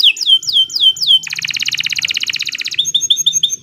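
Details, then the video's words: Canary song used as a training master for other birds: four high downslurred whistles, then a fast buzzy rattling trill lasting over a second, closing with quick bright chirps over a faint low hum. "Kicau Burung Kenari 139 II LUAR BIASA GACOR PANJANG"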